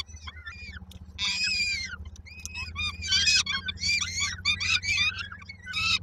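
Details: Peregrine falcon nestlings, Koszalin, Poland, 19 May 2022, waiting for their mother to bring food; bursts of loud, harsh, layered squealing after a quieter start, over a continuous low mechanical hum.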